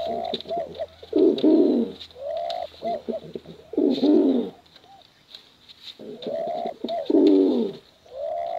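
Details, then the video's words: Bekuran competition cooing from male and female pigeons, heard as rounds of low, gurgling, bubbling coos broken by short silences. Faint tapping and a soft hum sit underneath. "Suara Bekuran Burung Merpati Lomba Hutan Dara Durasi Panjang"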